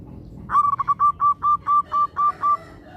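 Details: Local zebra dove singing, used as a lure to get other zebra doves singing quickly: a stuttering burst of soft cooing notes, then about nine evenly spaced, rounded coos at a steady pace against a low background hum.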